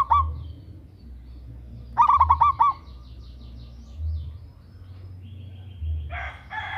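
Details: Zebra dove, local type, female calling male to lure him in: a brief coo at the start, then a clear run of about six rapid stuttering coos, followed by fainter rustling and a short harsh noise at the end.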